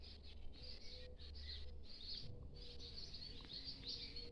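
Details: American goldfinch (Spinus tristis): a dense, continuous run of high, thin twittering and chattering notes over four seconds, above lower steady whistled tones and a constant low background hum.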